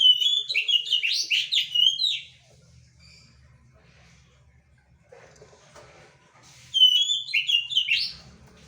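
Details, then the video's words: A quail calls actively in two long bursts of rapid, high, slurred chirping notes, each lasting about two seconds, separated by a quiet stretch with faint background sounds. "burung puyuh gacor"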